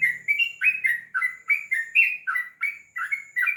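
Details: Sooty-headed bulbul (trucukan) singing in the long rapid-fire ropel style: a quick string of bubbly, liquid chirps, each sliding up or down, about a dozen notes packed into a few seconds with almost no pauses.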